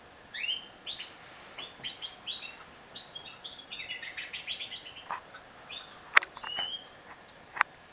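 A female domestic canary sings soft, quick warbled phrases of short rising and falling notes, with a few sharp clicks and a steady faint background hiss.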